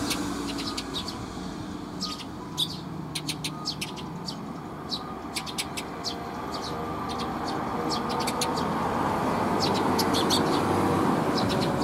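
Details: Sparrows flocking in to be fed at a Tenmangū shrine: many short, high, bright chirps tumble out in quick irregular bursts over a steady rumble of passing traffic that swells toward the end.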